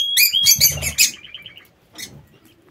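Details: Aviary lovebirds: a dense burst of shrill chirps and squawks, then a string of short quick notes fading out, one more chirp near the end.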